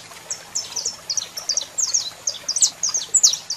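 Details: Bright, high chirps and slurred twitters from a singing male saffron finch with a female calling, the notes growing louder and more crowded over a few seconds.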